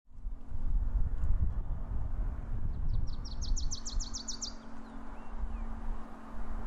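Wilson's warbler gives a quick run of about ten high, sharp chips lasting two seconds, over a steady low rumble of wind or traffic and a faint hum.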